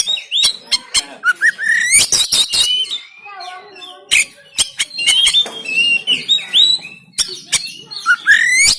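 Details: Oriental magpie-robin song in the rough 'tembakan' style, Banten, Android phone recording used to push lazy caged birds into song: dense bursts of sharp clicks mixed with ascending whistles and twittering notes.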